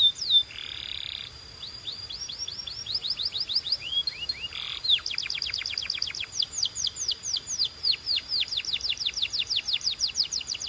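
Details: Canary song opening with a buzzy burst, then long fast trills of rising and falling whistled sweeps, many notes per second, continuing steadily to the end.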